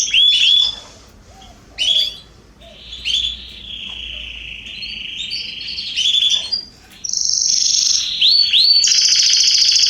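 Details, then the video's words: Garden canaries singing in September 2020: scattered sharp upswept whistled notes with gaps between them, then a sustained high buzzy trill running to the end. "Canaries singing"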